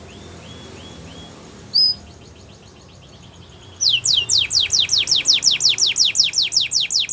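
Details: Belgian canary, soft high notes and one sharp whistle at first, then a loud steady series of rapid descending whistled notes.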